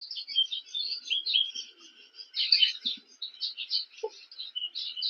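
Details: Cape weavers chattering during nest building at a King Protea: dense overlapping buzzy, scratchy chatter and squeaky notes from several birds, continuous throughout with brief louder bursts.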